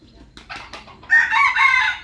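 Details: Aceh red junglefowl, an F1 lure bird, gives a few faint rough notes, then a loud, sustained, hoarse crow drawn out to the end, with a thin high whine behind it.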